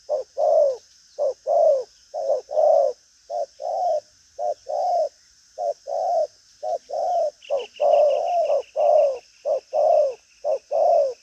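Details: Spotted dove, a strong cooer with a lively style, keeps up rapid paired low coos about once a second. A fine, high, rapid ticking sound joins partway through.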